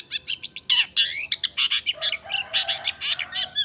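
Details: Long-tailed shrike singing emotionally as a lure for other shrikes: a dense, fast run of varied chirps, harsh squawks and slurred whistles packed tightly together, with bright buzzy bursts throughout.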